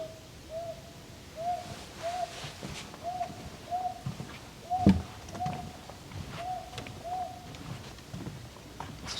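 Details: A wild owl perched atop an old tree in a forest on Bongseosan, Korea, on a cloudy, drizzly morning before the dawn chorus repeats short, mellow hoots on one steady pitch, a little under a second apart, with faint rustling and soft knocks.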